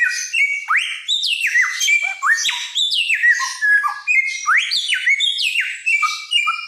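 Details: Loud, lively helmeted friarbird song from Nusa Tenggara, a noted mimic: quick upward-sweeping whistles and sharp falling notes, mixed with squawky, buzzy fragments in a dense, restless stream.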